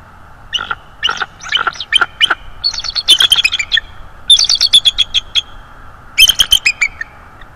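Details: A visiting subadult bald eagle in the nest calls on 19 December 2022, uttering grouped sets of sharp, high piping notes, each set a rapid stuttering string followed by a short silence.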